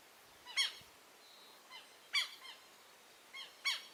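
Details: Young southern lapwing chicks, newly hatched and calling, heard at a distance outdoors: soft, high, falling peeps in small clusters every second or so, quiet against a steady background hiss.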